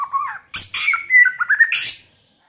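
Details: Singing white-rumped shama delivering a rich, fast-changing phrase: a brief low whistle, then a harsh burst leading into rapid rising and falling whistled notes, ending in a rough, buzzy flourish before silence.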